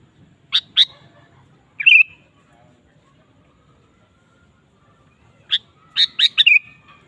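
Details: Sooty-headed bulbul singing vigorously to stir other kept bulbuls: two sharp notes, then a rolling whistle, and after a pause a faster burst of clipped notes ending in a liquid slurred whistle.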